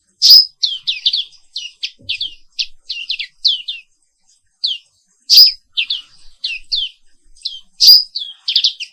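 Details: Zosterops atricapilla, the black-capped white-eye native only to Indonesia, giving morning therapy song: long runs of quick high twittering notes broken by three loud piercing whistles.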